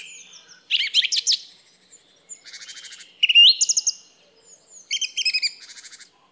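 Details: Song thrush phrases: a loud tumbling burst, then buzzy repeated notes and a rising whistle, with pauses between phrases.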